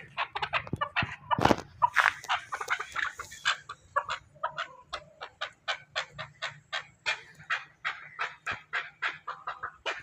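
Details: Chukar partridge (chakor) from Pakistan repeating rhythmic grating chuk notes in regular bursts after a loud clatter near the start, with a low hum underneath.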